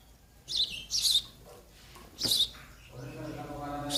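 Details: Young sparrows begging while they wait for their parents to feed them, with sharp high chirps in short bursts, a pause, then another chirp over low humming background noise.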